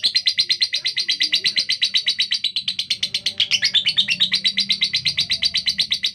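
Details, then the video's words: Harsh rapid-fire chatter from a female fighter lovebird with a rough, fast voice; scratchy notes pulse about six times a second without pause, briefly wavering in pitch around the middle. "Lovebird betina fighter suara kasar speed"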